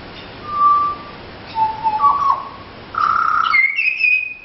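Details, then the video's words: Wild Pied Butcherbirds visiting people and singing for a feed: pure, flute-like whistled notes, a steady mid note, a lower note, then rising phrases that end in two higher sustained whistles. Background is quiet. "Pied Butcherbirds singing for food"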